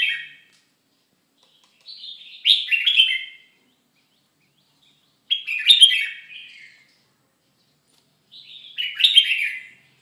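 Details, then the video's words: Red-whiskered bulbul during moult repeating a short bubbly warbled phrase about every three seconds, three times, with quiet pauses between. "Chao mao dang thay long"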